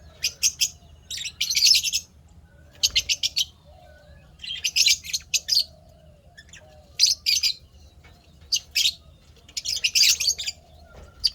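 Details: Lovebirds chirping happily: repeated bursts of harsh, high chattering chirps in rapid groups, with short gaps between, over a soft steady hum.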